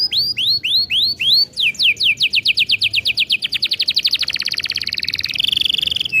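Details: Canary in long rolling song, used as a lure for young canaries: slow whistled slurs speed up into a fast, even roll of rising notes, then close with a buzzy trill.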